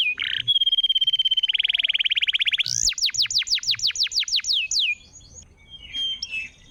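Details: Canary song to coax a silent canary: a sustained pulsing rolled trill lasting about two seconds, followed by a crisp series of high descending sweeps, then faint soft notes.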